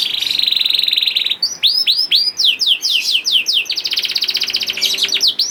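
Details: Young canary singing, used as a prompt for reluctant canaries: opens with a fast buzzy roll, then arched whistled sweeps repeated several times a second, another trilled roll, and closing sweeps.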